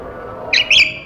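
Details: African grey parrot kept as a pet in a cage gives two short, sharp chirps in quick succession, the second slightly longer and higher, against a constant faint indoor hum.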